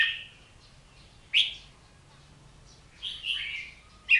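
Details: Sweet whistled phrases of an Oriental magpie-robin: a held tone, then a sharp rising note, later a slurred warbling run and a final crisp note, separated by quiet gaps.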